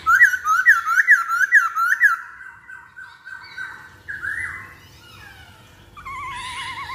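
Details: Masked laughingthrush song used to lure other birds to sing. About six clear, looping whistled notes come in quick succession, then a softer, level warble and a closing wavering whistle.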